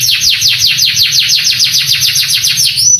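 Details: Canary tutor song, male, aimed at exciting young birds to sing: evenly spaced high downslurred chirps, about five per second, ending in a short level whistle.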